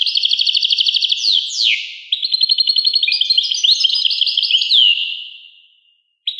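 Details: ['Rapid European goldfinch song: a quick buzzy trill, a couple of swooping slurred notes, then busy high twittering that fades into silence before a new phrase starts.']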